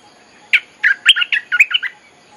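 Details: Bulbul song used to lure wild birds: one quick phrase of about eight liquid, warbling notes, rising and falling, delivered within under two seconds over a faint background hum.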